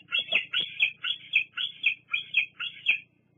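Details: High squealing begging notes from a young bald eagle at the Fraser Point nest, 8 August 2022, squeeing at its parent; rapid upslurred screechy calls about twice a second, some with faint clicks, over a low steady hum.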